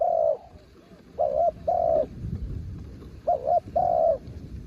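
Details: Spotted dove kept as a decoy, singing to draw in wild birds on a windy day: two pairs of mellow coos, each a quick doubled hoot and then a longer, steady, slightly falling coo, separated by a gap of about two seconds.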